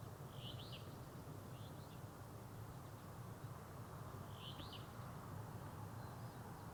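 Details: A Lesser Yellowlegs foraging along a lake shoreline near Anchorage, Alaska, in June gives short, clear whistled notes, some doubled, a few seconds apart over a steady low rumble of wind or distant traffic.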